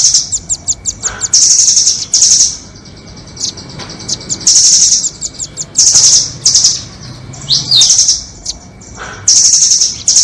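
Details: Lure audio for trapping nuthatches, doraemon versus red-billed type: loud, shrill trilled bursts a second or so long, broken by quick chips and an occasional downward-sliding whistle, over a steady faint background hum.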